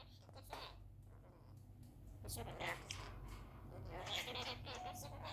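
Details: A pet talking rainbow lorikeet chatters indoors in scratchy, speech-like bursts, a rapid run of word-like syllables with short pauses, in a quiet room.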